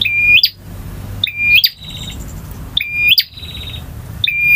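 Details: Male bar-winged prinia song, long full variation in the ngotot, ngalun and kristal styles. Sharp whistled notes end in clicks, and quieter buzzing trills follow each one. Four phrases spaced about 1.4 seconds apart.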